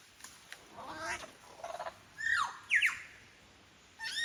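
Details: Wild lyrebird on Forest Path, Royal National Park, Sydney, mimicking other birds: a few loud sweeping whistled notes near the middle, then a pause and a fresh phrase at the end, over quiet forest background.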